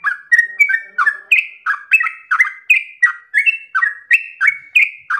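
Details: Yellow-vented bulbul in full, uninterrupted song with long ropel phrasing: chattering, liquid notes that alternate low and high, each with a quick upward slide, pouring out in a steady, fast stream.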